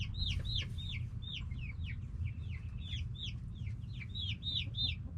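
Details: Backyard hens and roosters calling noisily: clear, high, downslurred peeps repeated rapidly and fairly evenly, several birds overlapping, with a faint low hum beneath.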